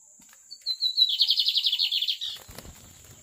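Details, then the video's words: Lined seedeater song, called magnata: a brief string of sharp whistled notes leading into a fast, even, buzzy trill of about a dozen pulses, then light rustling and knocks afterwards. "BIGODINHO MAGNATA ALÉM DE BONITO É MUITO BOM!"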